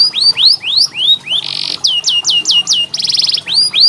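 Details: Training song for canaries that sing little: high, clear downslurred whistles repeated at a steady pace, broken by short buzzy rattles and a quick rolled trill near the end.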